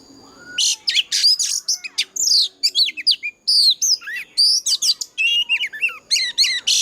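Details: Oriental magpie-robin's old wild-forest voice in a fighting song, meant to train and excite other birds into singing. The song is a loud, continuous medley of piercing upslurred and downslurred whistles mixed with scratchy buzzes, barely pausing.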